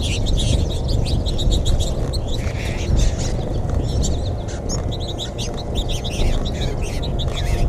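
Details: A large flock of American goldfinches in a feeding frenzy at suburban feeders in NW Gainesville, Florida, on 20 March 2021, late-winter "Final Flourish", twitters nonstop in overlapping high, bright chirps and sweet warbles over a low rumble.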